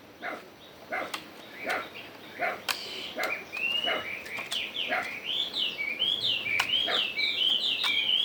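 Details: Chinese hwamei in forest-style song, regular sharp clicking notes at first, then a fast stream of bright repeated whistled slurs.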